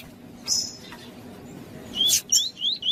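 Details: A female double-collared seedeater (Sporophila caerulescens) calls to excite and warm up a male, giving thin, high whistled notes, then a quick series of three or four short rising chirps near the end.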